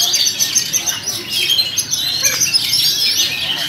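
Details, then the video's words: Two white-rumped shamas of Sumatran origin singing together in a duet, a dense tangle of bright, high whistles, chirps and rapid trills that runs without pause, with faint talk in the background. "Burung Kacer "Geger & Jupe" duet maut"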